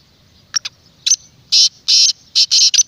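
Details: Black francolin, a loud, clear voice for luring wild francolins: two soft clicks, then a rising sequence of harsh, grating, buzzy notes, the last ones long and run together.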